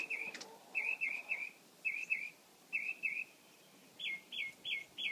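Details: Mockingbird singing a rapid series of short, clear chirped notes, grouped in twos and threes, then shifting to a higher, brighter repeated phrase near the end; faint background rustle.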